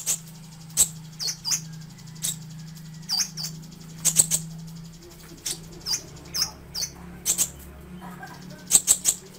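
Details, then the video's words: Sunbird song recorded for tutoring songbirds: sharp, high, slurred chips repeated at irregular intervals of about half a second to a second, over a steady low hum. "Suara Burung Terbaru 2020 - Kolibri Ninja (Konin) Cocok Untuk Masteran"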